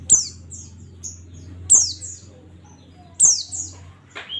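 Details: Oriental white-eye singing in the ngalas style, offered as a tutor recording for pet white-eyes: high, thin, sharply descending whistled notes in quick bursts, three clusters about one and a half seconds apart, over a faint low steady hum.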